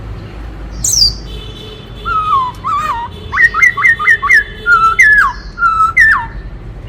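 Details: [1, 'yes', 'song', 'Black-throated laughingthrush, described as a forest bird, singing a varied multi-voice song. A high sweeping note is followed by a rapid run of clear whistled notes that step downward, repeated about eight times, then a few longer slurred whistles.']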